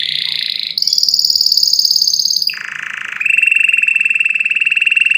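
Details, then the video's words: Strong canary song of long sustained trills. A mid-high roll jumps to a high steady trill, then falls to a buzzy lower tour and finishes on an even, fast-pulsed trill. "أقوى تغريد كناري لتسميع الطيور"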